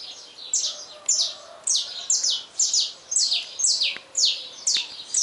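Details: A saffron finch singing at dawn: a rapid series of bright, high, down-slurred chips, about two per second, each a sharp buzzy note dropping in pitch.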